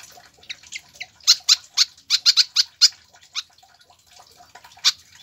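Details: Pied fantail song played to prompt and tutor captive birds into singing: bursts of sharp, high squeaky chips clustered in the middle, with a few scattered notes after quiet gaps.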